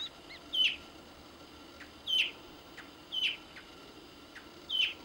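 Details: Andean tinamou in Tucumán, Argentina, giving short, high, clear whistled notes, about four in five seconds at an uneven pace, over a quiet background.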